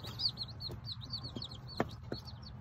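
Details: Baby chicks of a tiny bantam Sebright hen, which hid her eggs and hatched ten chicks on a hobby farm, give high, thin peeps in quick bursts, with a few soft knocks and a low hum underneath.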